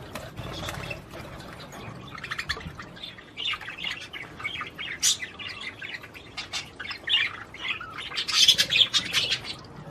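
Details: Budgerigar singing to rouse a female to mate: quiet chatter building into busy, scratchy warbling with sharp squeaks and clicks toward the end.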